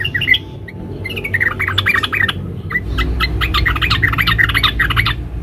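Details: Female yellow-vented bulbul calling to a male in dense 'ngeriwik rapat' chatter: rapid, tightly packed squeaky chirps and trills repeated several times a second, brief pause near the start, over a steady low rumbling background hum.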